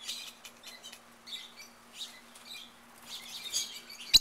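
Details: Wild rosy-faced (peach-faced) lovebirds in a backyard in Mesa, Arizona: a steady stream of shrill, high-pitched chirps from several birds, overlapping in short bursts, with a sharp click right at the end.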